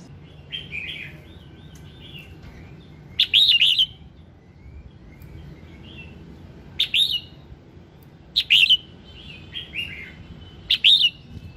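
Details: Morning song of a red-whiskered bulbul, meant to spur singing: four loud, sharp warbled phrases at irregular intervals, with softer chattering notes filling the gaps.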